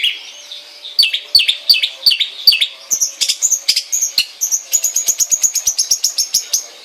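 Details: Long-tailed shrike kept at home: a few down-slurred whistled notes, then a quickening, jumbled series of sharp high chips running to the end.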